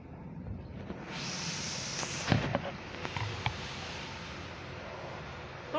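A steady broadband hiss with a few sharp knocks and thumps and possibly faint voices in the background; no clear animal call stands out.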